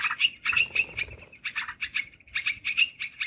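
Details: Olive-winged bulbul (merbah belukar) call used as a trapping lure: rapid bursts of harsh chattering notes in short runs, with a steady faint high tone behind.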